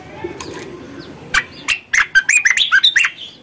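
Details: Bulbul song played to lure and stimulate birds that have stopped singing: a run of fluty, warbled whistles that quicken and rise in the second half, over a low background murmur.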